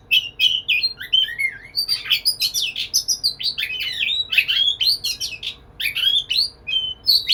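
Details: White-rumped shama singing lively to a female in courtship: fast, varied jumble of clear whistles, quick slurs and sharp chips, high-pitched and almost unbroken.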